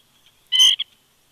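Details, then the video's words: A woodpecker calls close to an eagle nest in the morning. A single harsh, nasal note lasts about a quarter second, followed by a short clipped tail note, against near silence. "Woodpecker Vocals"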